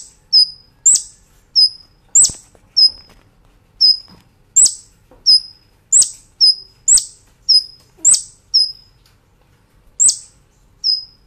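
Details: Kolibri Ninja master recording for tutoring caged birds: regular pairs of high, sharp chirps followed by short level whistles, repeated steadily throughout, clean background.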